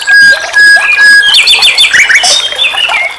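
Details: Short burst of nightingale song from a songbird tutoring recording: a clear sustained whistle at the start, followed by a flurry of quick chattering, rapidly changing notes.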